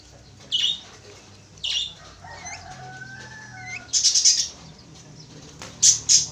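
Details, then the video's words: Javan mynas, a pair, giving widely spaced harsh rasping bursts with a few thin whistled and slurred notes between them, finishing with two more loud scratchy squawks. "sepasang burung jalak kebo"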